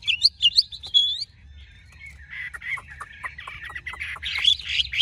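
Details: Big-bodied Chinese hwamei gives a few loud piercing whistles, then a quieter stretch of soft chattering notes before the song swells again into bright phrases.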